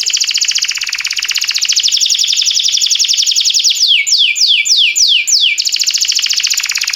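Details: Canary singing for the training of canaries: a long rapid rattling trill, a short run of descending whistled sweeps, then the fast trill resumes.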